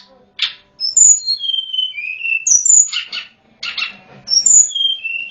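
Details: Sunda robin lure for wild birds: high whistled notes descending in steps, repeated twice, separated by rough buzzy bursts.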